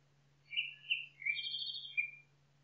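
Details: Nightingale singing in the forest with varied phrases: rich warbled notes, a downward-sliding slur, then higher clear whistles and a final sharp note, with a faint steady low hum underneath.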